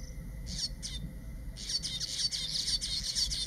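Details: Male Village Weavers in Zululand, KwaZulu-Natal, South Africa, displaying at their self-built nests to nearby females, give harsh, sizzling, buzzy chatter, first two short bursts then a continuous swizzling stream, over a faint steady hum.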